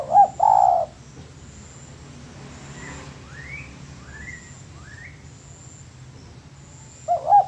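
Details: Spotted dove master song for training birds: a loud two-part coo phrase opens, soft upward-slurred whistles of other birds follow in the quiet middle, and another coo phrase begins at the end.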